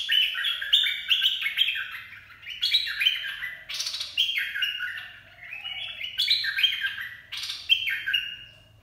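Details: Bulbul kept as a cage bird, 'dok taeng' song for teaching young birds and luring others: loud, rich whistled phrases repeated about every second, each a quick cascade of falling notes, with short sharp bursts between.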